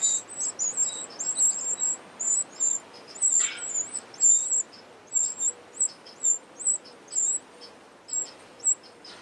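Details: Eurasian wren family at an unusually large nest built under a pavilion. Very high, thin squeaky calls come in short bursts about once a second, uneven in rhythm, over faint background hiss.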